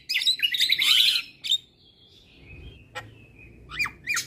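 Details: Javan myna song used as tutor recording for caged mynas that are reluctant to sing: a dense burst of harsh, scratchy chattering notes for about a second, then scattered sharp chirps and short slurred whistles with pauses between.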